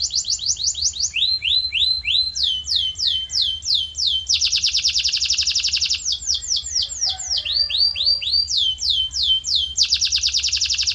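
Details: Canary song played as tutor audio for a canary's voice: repeated series of descending whistled sweeps alternating with loud, rapid, buzzy rolling trills throughout.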